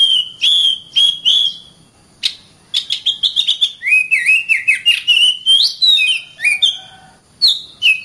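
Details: Oriental magpie-robin singing for tutoring other birds: clear repeated whistles, a short pause, then a quick run of chirps and wavering whistled phrases rising and falling.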